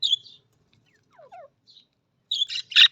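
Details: Budgerigar, an Australian parrot: whistled chirps, some falling in pitch, then a burst of harsh, buzzy squawks near the end.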